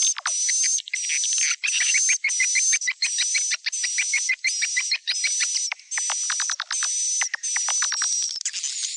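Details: Swiftlets calling the young, recorded in stereo: bursts of high, buzzy chatter with a faint whistle on top repeat about every half second to second, each burst ending in clicky downward ticks, separated by short silences over nine seconds.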